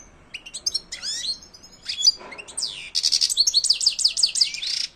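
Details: ['High twittering from a European goldfinch in silvestrismo song: scattered chirps and slurred notes building into a continuous rapid run of repeated descending whistled notes.']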